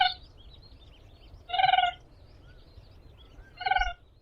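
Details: Crane (Grus) giving three clear trumpeting calls, each a short rich harmonic note roughly two seconds apart, over steady low rumbling background noise and faint chirps from other birds.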